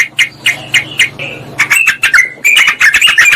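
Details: Sooty-headed bulbul calling a rival, a lure for wild birds: a few spaced chirps over a low hum, then a faster burst of bright, slurred notes.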